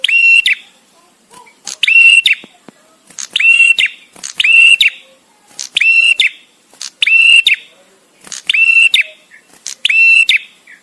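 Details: Bar-winged prinia, a visiting male, singing with gaps for use as songbird training: eight strong, flat whistled notes, each opening with a crisp click, repeated steadily about every 1.3 seconds over a quiet background.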